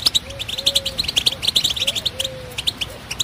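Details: High, tinkling European goldfinch song of quick chirps and twitters, with soft, low drawn-out whistles sounding underneath at intervals.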